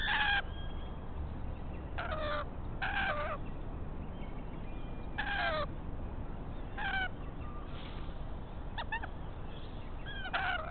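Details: A pair of rainbow lorikeets raiding a pied currawong nest that holds no eggs or chicks yet; harsh, rasping screech notes come in short bursts about every second or two, over a steady low rumble of background noise.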